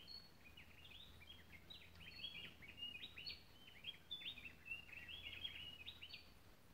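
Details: A gray-breasted wood wren pours out quick, rich whistled and chirping notes almost without pause, with other birds, over a faint low hum, in cloud forest at Kindred Spirit, Tilarán mountains, Costa Rica.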